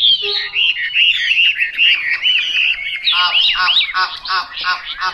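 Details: Chinese hwamei repeating clear, rolling whistled phrases, then switching to rich, harmonic, downslurred notes in quick succession.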